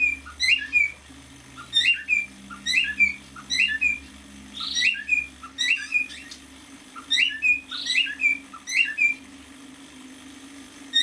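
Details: Song of a young male cockatiel, six months old: repeated whistled motifs of a few quick upslurred and falling notes, about a dozen phrases with short pauses, a low hum and faint rumble beneath.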